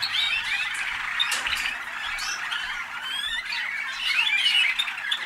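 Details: Singing Waterslager (malinois) canaries, hatched in North Canton, Ohio, USA, fill the air with busy, tangled warbling, quick chirps and short rolling trills running together without a break.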